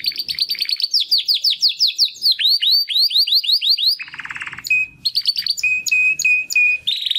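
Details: Young male Timbrado canary learning to sing after its first molt: a long run of repeated swooping notes, a low buzzy rattle, then steady whistled notes mixed with sharp clicks.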